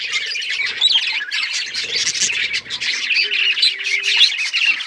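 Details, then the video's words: Budgerigars singing together: a dense, continuous warble of rapid chirps, squawks and scratchy notes, with a low steady hum near the end. "Budgies singing"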